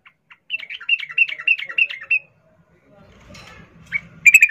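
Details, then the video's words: A female sooty-headed bulbul, in breeding condition, calling a male. She gives a quick chain of looping, warbled notes, then a short pause with a soft rustle, then a buzzy pulsed trill at the end. "Trucuk Betina memanggil jantan Suara NgeroL birahi"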